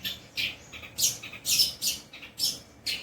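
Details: Mimicking song of a long-tailed shrike, including 'kuntilanak' and 'greja petir' imitations: short, sharp, hissy high notes in separate bursts, some with thin whistled peaks.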